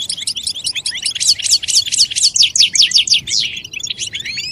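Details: European goldfinch calls used to encourage males to sing and break their silence: a fast run of sharp, descending high chirps repeated several times per second, liquid twittering throughout.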